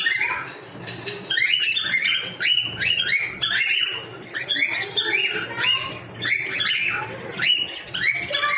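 A cockatiel gives a rapid series of bright, rising chirps with a slightly harsh, squeaky edge.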